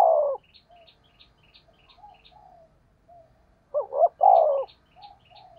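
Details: Spotted dove decoy cooing in the fast 'thúc gù' style with a rustic 'thổ' voice: a loud, low coo phrase opens, and later a double-note 'cu-cu' leads into a long falling coo. Faint high chirps from other birds are heard between phrases.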